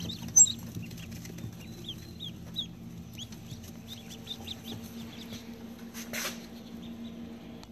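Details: Baby ducklings of assorted rare duck breeds, unsexed, giving a run of short, thin, high peeps in quick succession, some rising and some falling, over a steady low hum, with a brief rustling burst near the end.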